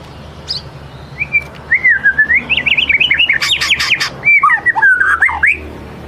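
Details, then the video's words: White-rumped shama singing, a lure song meant to draw out a full repertoire: varied whistled phrases sliding between low and high notes, then a dense burst of sharp rising notes and a run of rich warbled slurs. "Kicau murai batu ngelemak | pancing murai batu bongkar isian"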